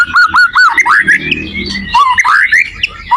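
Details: Song of a white-rumped shama, played as a tutor for other shamas: three quick whistled notes, then rising squeaky slurs and a warbled phrase, a short pause, and more rising whistles.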